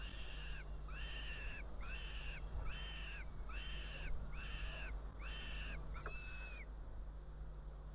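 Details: Northern goshawk at its nest near Riga, Latvia, on a June 2017 afternoon, when the female arrives with prey for her chick and flies off. A steady series of eight drawn-out, arched wailing calls comes about every 0.7 seconds over a low, constant hum.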